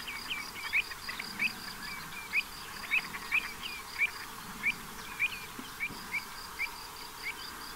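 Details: Pied avocets at the Séné nature reserve in the Gulf of Morbihan, on 29 April 2023 in spring when the first chicks have hatched, give short, clear, fluty 'kluit' notes irregularly about every half second, over a low rumble.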